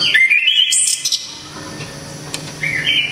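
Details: Javan orange-headed thrush (anis kembang) delivers a loud, sharp, clear burst: a rising whistled phrase with high squeaky notes at the start, a quiet gap, then another rising whistle at the end.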